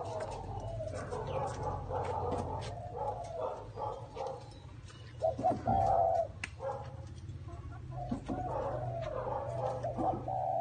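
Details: A spotted dove in a small garden coos repeatedly in soft, wavering notes. Clicks, knocks and a steady low hum run underneath, and one louder, clearer coo stands out near the middle.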